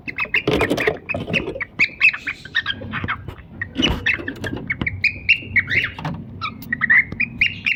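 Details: A cockatiel pair kept at home squawks and chirps rapidly, about four notes a second, with a rough scratchy passage early on and clearer rising whistles later.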